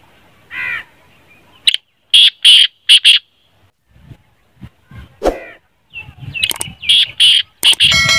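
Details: Black francolin call, offered as a sound to play when a kept francolin will not call; two bursts of harsh, grating, rapid notes, about five or six in each, separated by a quieter stretch with faint scattered sounds.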